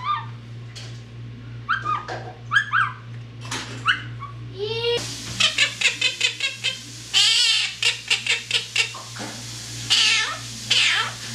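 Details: Pet parrot imitating whistling, speech, meowing and barking: thin rising whistles, then a string of quick nasal meow-like and bark-like calls, over a steady low hum indoors.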